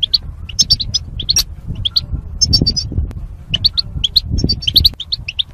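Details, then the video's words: Caged goldfinch pairs, separated by wire barriers during mating, in singing training; continuous stream of sharp, high chirps and liquid twitters in uneven clusters, with a soft low rumble underneath. "Goldfinch Chirping Sounds"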